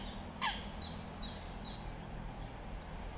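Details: Eurasian coot in London, UK, during a territorial fight between coot families: one loud, abrupt, sharp call near the start, then fainter thin notes over a constant low rumble.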